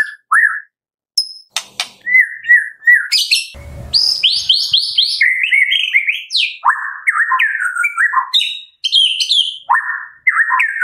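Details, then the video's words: A white-rumped shama delivers a long, varied kretekan song meant to lure other shamas into singing. Rich whistled phrases, slurs and chattering runs shift between high and lower pitches, with one brief harsh rasp. "PANCINGAN JAHAT KRETEKAN MURAI BATU GACOR 100% AMPUH buat Pancingan murai batu pastol agar bunyi"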